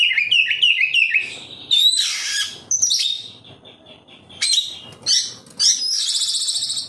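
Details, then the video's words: Oriental magpie-robin (kacer) as a singing lure for captive birds: quick repeated whistled chips, then harsh buzzy rattles and high trilled passages. "Suara burung Kacer, cocok buat Pancingan Kacer bahan agar tambah Gacor"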